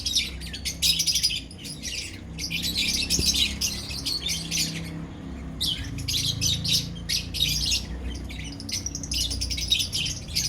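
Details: Lovebirds in a colony chatter with steady, dense, high twittering and squawky chirps. A low rumble and room hum run underneath.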